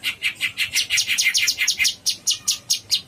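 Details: Cucak cungkok bulbul singing vigorously: a fast, even run of bright downslurred chips, about six to eight per second, continuing steadily for three seconds.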